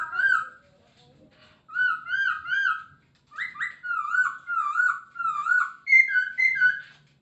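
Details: Masked laughingthrush, known locally as Poksay Hongkong, singing a varied song: a soft low warble, then groups of rich whistled notes rising and falling, delivered in bursts of three or four with short pauses between them.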